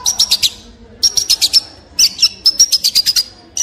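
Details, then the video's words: Long-tailed shrike giving rapid buzzy high trills in short bursts of about half a second, each with four to six quick pulses, separated by brief pauses. "Long Tailed Shrike With Beautiful Sound"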